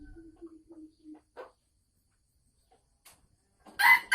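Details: Caged Sumatran red junglefowl hen about to lay eggs, 24 December 2020: a run of soft, low clucks, a short gap, then a sudden loud, harsh squawk at the close.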